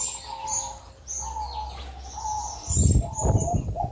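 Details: A male zebra dove of the "gong" voice type, overly in breeding heat and paired with a red leopard-colour female spotted dove, gives soft, mid-pitched coos about every second over high thin chirps from other birds. A low rumble rises near the end.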